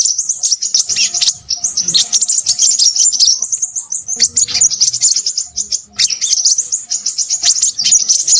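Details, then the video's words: Crimson sunbird singing loudly in long runs of quick, sharp, high-pitched twitters, pausing briefly every few seconds before starting again. "burung sepahraja ribut"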